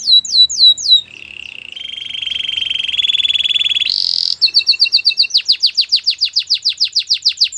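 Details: Canary song for training: a few downslurred whistles, a low rolling trill rising into a higher buzz, then a brisk chain of rapid clipped repeated notes.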